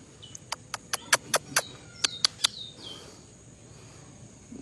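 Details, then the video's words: A bajero songbird in Valledupar, Colombia, at 5 pm on a Monday in July 2025, gives a run of sharp, dry chips about every quarter second with a few thin, high whistles, over quiet hiss. "CANTO DE BAJERO"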